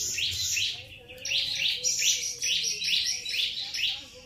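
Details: Grey-cheeked bulbul giving a fast, repeated series of bright, high chirping phrases, each burst lasting about half a second and coming in quick succession, with a low steady hum beneath.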